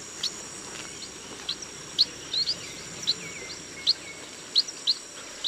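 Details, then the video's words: Chestnut munias give short, thin, high-pitched chirps at an irregular pace, about a dozen in five seconds, over a steady background hiss. "CHESTNUT MUNIA BIRD SOUND"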